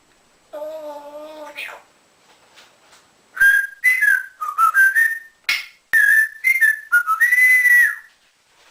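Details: Pet male African grey parrot, kept in a cage indoors and taught to whistle like a builder, gives a short buzzy harmonic note, then a run of loud clear whistles that slide up and down, bent and looping phrases with short gaps.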